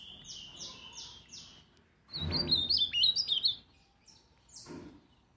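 An ultramarine grosbeak gives four quick matching notes, then a loud, sweet warbled phrase of rapid rising and falling notes, and a single later note.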